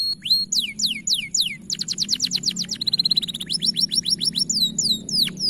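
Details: A bright-coloured canary delivers strong, high song meant for training: descending whistled sweeps, then a quick rattling trill and a steady fast roll, followed by more swooping notes over a low background hum.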